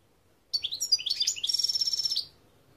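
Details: European goldfinch song: a quick burst of high, liquid twittering notes sliding up and down, then a fast run of rapidly repeated bright chips ending abruptly after under two seconds, over a quiet background.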